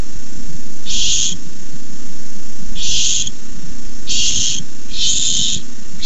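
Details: Barn owl young beg at the nest when a rat is brought, uttering breathy hissed screeches in four uneven bursts, the last two close together, over low background rumble.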